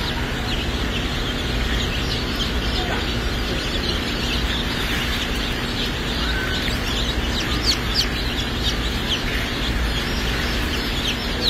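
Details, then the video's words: Bielefelder baby chicks, a German auto-sexing chicken breed, peep as a crowd at a hatchery: dense, overlapping high chirps over a steady low hum, with voices faintly in the background. "Bielefelder baby chicks"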